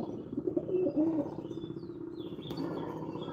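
Racing pigeons cooing in low, throaty, rolling phrases over a murmur of other birds.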